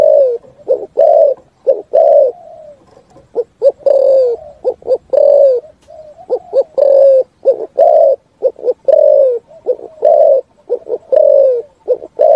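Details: Long sequence of 'thúc gù' cooing from a spotted dove: rapid pairs of short coos, each capped by a sustained downward-sliding coo, repeated continuously.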